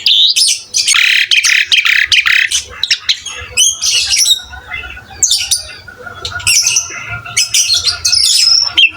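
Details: Training recording of an actively singing Asian pied starling: scratchy high chatter bursts separated by short gaps, with softer steady whistled tones in between.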